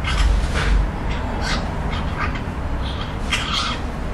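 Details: Juvenile magpie giving scratchy, grating squawks in uneven bursts, some doubled, with a constant low-pitched background hum throughout.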